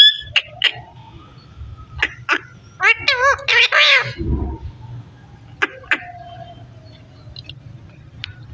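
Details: Talking parrot gives scattered sharp clicks and tongue pops, with a brief run of wavering, voice-like harmonic syllables in the middle over a low background hum.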